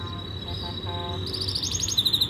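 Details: Yorkshire canary training song: a long steady high whistle, then fast bright rattling trills rising in loudness toward the end, over a low background hum.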